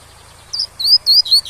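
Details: Tui-tui song of a double-collared seedeater, a model for young birds, with waterfall sound: a short high whistle, then three longer, level, ringing whistles with brief gaps, over a soft constant rush.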